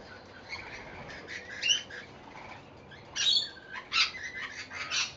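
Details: Rainbow lorikeets feeding on seed put out on a verandah in Victoria, Australia: scattered harsh, screechy squawks, with a louder burst of several shrill calls in the second half.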